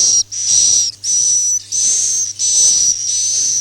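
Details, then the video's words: Swiftlet Akau ngaji sound: a run of sustained, high, breathy whistles, each roughly half a second or longer, separated by brief silent breaks. "suara walet Akau ngaji Original"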